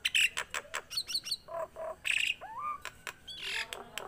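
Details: A tame Nias hill myna gives a varied run of loud whistles, harsh squawks and sharp chirps, with a clear rising whistle near the middle.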